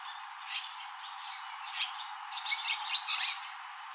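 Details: Swallows at a roadside station in Nihonmatsu, Fukushima, Japan, where they raise young each May and June; soft scattered notes build into a lively, high twittering burst near the end.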